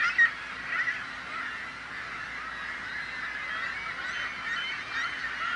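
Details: Seagulls calling together, which they do to frighten off predators, whether human or bird, while hungry young call for food; a steady, dense din of overlapping harsh cries with a few louder calls near the start.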